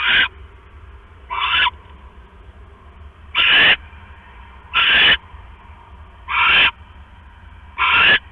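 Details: Owl at the nest at night as the male delivers a rat to the female on her eggs; a run of six harsh, hissing screeches, each about a third of a second, repeated roughly every one to one and a half seconds.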